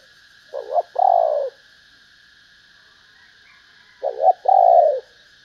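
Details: Female spotted dove calling to arouse males, repeating a two-part phrase twice about three seconds apart: a quick doubled coo followed by a longer, steady, hoarse coo, over a faint steady hum.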